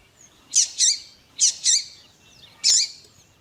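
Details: Double-collared seedeater (Sporophila caerulescens), with a male singing and a female calling, gives bright, high paired notes in short bursts, the 'tuí tuí' phrase repeated about every second; nothing else audible.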